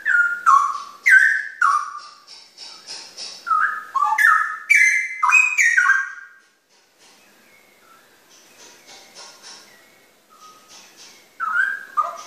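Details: Rich warbling whistles from a straw-headed bulbul (cucak rawa): rapid, varied, rising and falling liquid phrases run for about six seconds, then a soft lull with faint notes before bright, loud whistling starts again.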